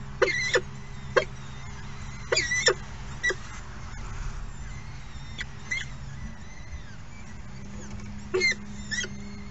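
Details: Falcon nestlings at an early morning feeding, calling in short bursts of thin, high, rising squeaks and chips separated by quiet gaps, over a constant low rumble and hiss.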